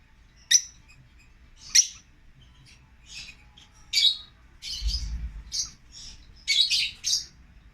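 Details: Caged pet African lovebirds, siblings kept in an aviary, give sparse, sharp, high chirps at irregular intervals, growing into a cluster of quick squeaky calls near the end, with a brief low rumble in the middle.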